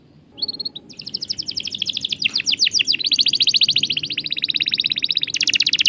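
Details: Canary song for prompting silent canaries to sing: a brief whistled note, then long fast rolling trills of high notes that change pace midway, continuing into a dense, rapid buzzy roll.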